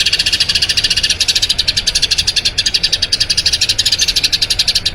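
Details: Eurasian tree sparrow giving a long rolling song, used as a training recording for other songbirds: a fast, unbroken stream of bright, high chirps, steady and loud throughout, with no other sounds.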